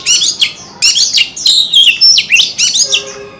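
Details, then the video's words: Loud oriental magpie-robin song of short, rich phrases: high buzzy bursts alternating with clear whistled slurs, a long drawn whistle in the middle. "Tiếng Chim Chòe Than Hót Hay Nhất 2026"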